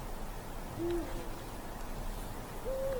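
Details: Eurasian eagle-owl hooting in a forest on a dark winter night: a short, low, steady hoot, then about two seconds later a higher hoot that falls at its end, over a quiet low rumble.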